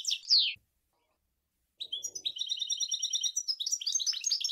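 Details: Goldfinch song from Sour El Gouzlane: a sharp descending chirp, a short pause, then a rapid steady series of high tinkling notes running into fast twittering.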